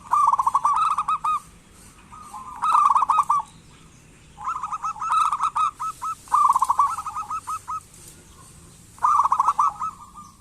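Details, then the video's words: Local zebra dove calling eagerly to set lazy doves singing: five separate bursts of rapid staccato cooing, each about a second long and ending in a few spaced notes, with quiet pauses between. "Perkutut lokal gacor pancingan perkutut malas agar bunyi"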